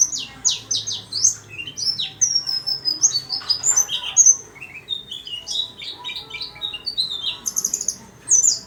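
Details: White-eye in a little cage sings steadily, pouring out sharp, high twitters and short whistled slurs in quick bursts.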